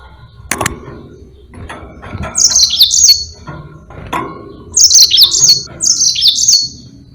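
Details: Energetic yellow-fronted canary in long rolling song, delivering several short bursts of bright, high-pitched trills and zigzag slurred notes, with a few sharp clicks and low hum between phrases.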